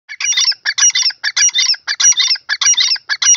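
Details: Grey francolin (teetar) giving a loud, harsh, rhythmic call series: clustered scratchy notes repeated in quick bursts about every half second, steady and insistent throughout, with no other sounds.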